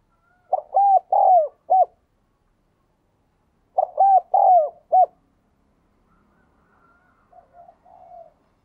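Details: Spotted dove kept in captivity, a diligent cooer with a 'đồng kim' voice, used to spur newly caught birds to coo: two four-note mellow coo phrases about three seconds apart, then faint, quieter sounds trailing at the end.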